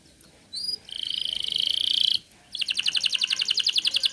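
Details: Canary in strong song, aimed at getting young or silent birds singing. A rising whistle leads into a bright, sustained rolled trill lasting over a second, a pause, then rapid evenly pulsed notes.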